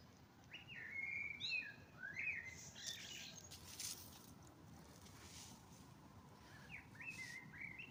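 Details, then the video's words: Spring dawn birdsong of short whistled phrases, several rising or sliding upward, repeated with brief pauses, broken by a few short bursts of broadband noise midway over faint steady background hiss. "Құстар үнімен көктемде келді. Весна пришла под пение птиц"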